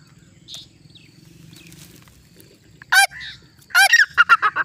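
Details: Grey francolin (Ortygornis pondicerianus), call.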